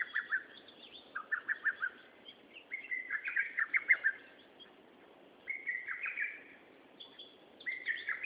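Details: Birdsong from 13 June 2011: longer, varied phrases of rapid chirps and buzzy trilled notes, some rising higher, delivered in several bursts with brief quiet gaps and low steady hiss behind.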